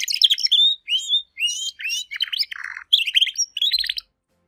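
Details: A discontinuous-type Spanish Timbrado canary sings bright, ringing phrases, pausing briefly between each burst of notes as if resting to take breath.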